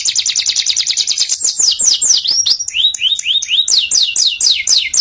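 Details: Canary song recorded as a masteran: a fast high trill opens, shifting into a chain of looping descending whistles, some lower and some higher, repeated at a quick, steady pace.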